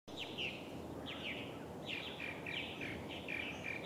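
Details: Purple martin calling near an osprey nest at Steigerwald Lake National Wildlife Refuge, Washington, USA, on 24 July 2011; a series of short chirping, gurgling notes in quick bursts over steady background noise.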